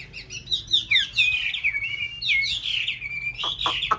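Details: Aviary-kept white hwamei in breeding season, pair nest building: a continuous flowing whistled song of warbled, slurred notes, bright and varied, ending with a few sharp snapping clicks.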